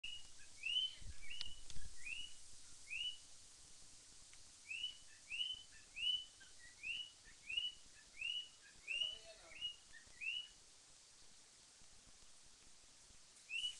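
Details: A cockatiel sings in the morning like an alarm, whistling a run of bright, rising notes repeated about once a second.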